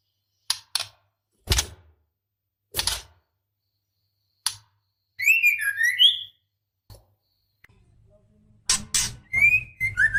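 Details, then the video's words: Female white-rumped shama in breeding condition calling the male: four sharp broadband clicks, then a burst of rising and falling whistled notes near mid-pitch, a pause with a faint click, and another whistled burst at the end. "Suara Murai Betina Gacor Memanggil Jantan"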